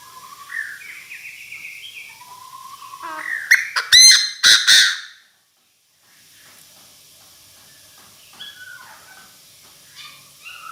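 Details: Decoy Chinese francolin calling its flock: a run of clear whistled notes stepping upward, then a loud burst of harsh, buzzy, ringing notes around the fourth and fifth seconds. A short silence follows, then faint scattered notes.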